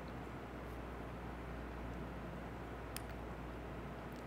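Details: Low steady hum and faint hiss with a single tiny tick; no animal sound is present.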